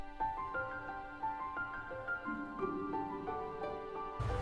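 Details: Soft, slow instrumental music with sustained tones and gentle plucked notes; no animal voices can be picked out.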